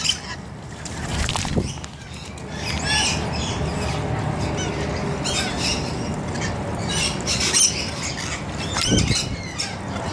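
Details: Rainbow lorikeets at their bath, scattered harsh squawks and sharp screeches over a busy background of chatter and low hum.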